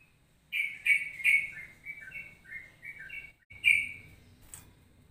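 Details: Ropelan-style bulbul song recalling cucak rowo and trucukan: a loud whistled opening, then a series of softer gliding notes rising and falling, with a low background hum.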